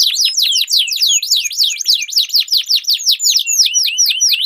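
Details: Canaries in a singing duel, a long rolling song used to train competition birds and to prompt silent canaries to sing: rapid chains of downward-sweeping notes repeated several times a second, high and bright, with no other sounds.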